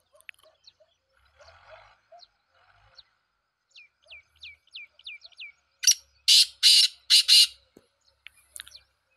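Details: Small birds give thin, high, downslurred whistles in a run, then a black francolin cuts in with four loud, harsh, grating notes, the last two close together.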